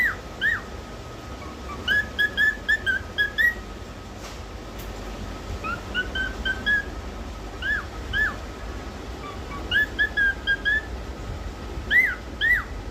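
A cockatiel whistles bursts of bright, upward-hooked notes, repeated in short phrases.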